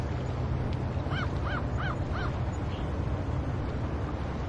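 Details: Gulls at the seaside at Pea Point, New Brunswick give four quick, nasal, arched calls in a short burst over a steady low roar of wind and surf.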